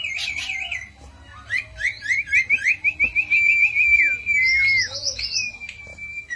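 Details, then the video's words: Cito bird singing a lure or master song for training songbirds: varied high chirps, then a long rapidly trilled whistle, and ending in quick warbled and steady whistled notes. "burung cito cocok buat pancingan/masteran"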